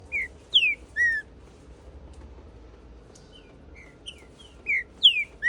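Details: Green-winged saltator (trinca-ferro) singing hot, in the 'macheando' style: a few loud, clear whistled notes that slide downward, given in two bursts separated by a quiet pause of about three seconds, with soft high notes between.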